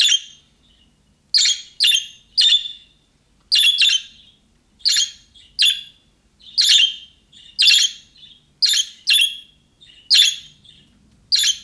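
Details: Budgerigar calling in the chirping style of young birds, meant to make other budgies respond. Loud, scratchy, high chirps come in an uneven series, often in pairs, about one a second, with short silent gaps between them.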